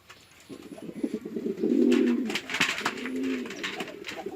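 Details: Pigeons kept on a farm in Chittagong District, Bangladesh, male and female fighting: low, rumbling coos build to one loud, gurgling burst, then continue more softly, with sharp clicks and flapping-like noises over them.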